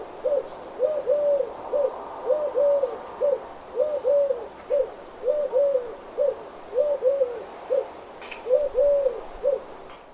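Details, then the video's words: Dove cooing steadily: soft, low hooting notes in repeated rounded phrases, roughly one every second, over a faint background hiss. "Dove Sounds (dove sings)"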